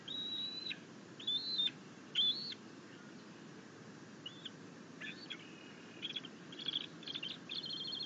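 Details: Happy juvenile bald eagle chittering as its mother brings a fish to the nest, 9 June 2021. Loud high whistled bursts come first, then fainter clipped notes and a quick run of repeated chitters near the end.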